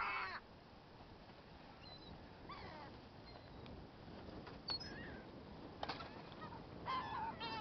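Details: Hungry gulls giving scattered short, squealing cries and quick clipped notes, mixed with brief knocks and bursts of noise against a constant low rumble.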